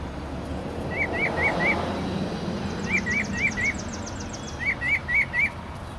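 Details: Mockingbirds fighting hard: sharp, rising chirps in sets of four, each set repeated about every two seconds, over a steady rumble of traffic and background noise.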